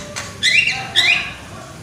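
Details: Loud-voiced young Javan myna, a lure recording to prompt singing: two short, clear whistles that rise and bend upward, about half a second apart.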